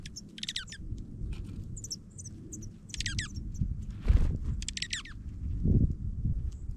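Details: Dark-eyed Juncos feeding during a Minnesota snowfall give quick bursts of high, thin, downslurred chip calls and twitters in short clusters, over a steady low rumble of wind.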